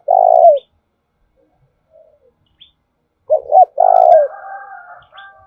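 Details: Stimulating lure call of a spotted dove in the "thổ đồng" voice: a long coo ending a phrase, then a full phrase of two short hoots and a long coo, with another bird's twittering after.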